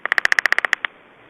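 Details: Black storks in Estonia at feeding time, 11 July 2012, 14:49: a rapid, evenly spaced series of about eleven sharp, clipped notes packed into under a second, ending with one slightly separated note, then quiet.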